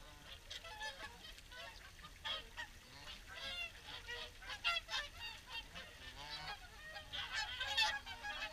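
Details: Flock of swans calling during an evening feed at Caerlaverock: dense overlapping honks and bugling notes, some curving up then down, bursts growing louder around the middle and near the end, a constant crowded chatter throughout.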